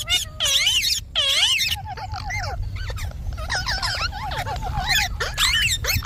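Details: Talking ringneck parrot giving bursts of harsh, wavering harmonic squawks mixed with lower bubbling syllables, loud and steady throughout, with a low rumble beneath.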